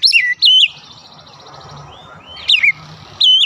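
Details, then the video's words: Oriental magpie-robin lure song meant to draw replies from other magpie-robins: short bright whistled phrases with sharp up-and-down slurs, separated by gaps of about two seconds, over a steady low background hiss. "PANCINGAN KACER MANAPUN AUTO RESPON NGEPLONG"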